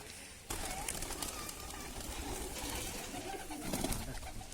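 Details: A flock of visiting domestic pigeons landing at a house and being fed gives soft, low cooing that rolls on under steady rustling noise, with faint voices in the background.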